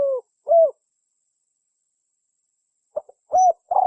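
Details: Spotted dove (tekukur), a species commonly kept and bred in Indonesia for its calls, giving mellow hollow coos: two rounded notes, a long silent pause, then a soft lead-in followed by further coos.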